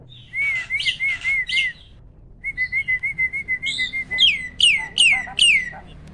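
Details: Loud captive starling, a competition winner, repeating a crisp whistled note in quick trains, then switching to sharp, high, downward-swooping whistles given about once every half second.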